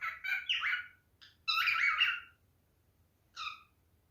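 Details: Male cockatiel in mating behaviour giving a few scratchy chirps and squawky whistles, followed by a long pause and a single short, harsh note at the end.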